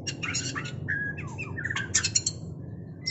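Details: Mating white-rumped shama song: dense bursts of high chirps, then clear whistled notes and quick falling slurs, another chirpy burst, ending in a soft level whistle, with constant low-pitched background noise.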